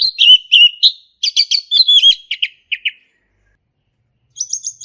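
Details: Male orange-headed thrush sings a lure song for learning birds, 'gacor ngeplong': a string of repeated whistled notes with fast buzzy trills, dropping to short notes, then a brief high twitter.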